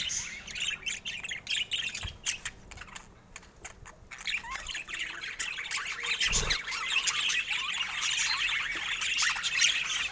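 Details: Rare budgerigars under natural Scandinavian light: scattered chirps and clicks, a quieter pause near the middle, one dull thump, then the chattering and squawky warbling of several birds builds up again.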